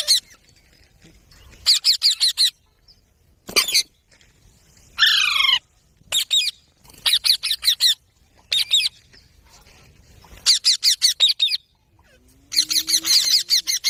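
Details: Parrot natural sounds: bursts of harsh, rapid, buzzy squawks, each lasting about half a second to a second, separated by silences, with one falling screech in the middle.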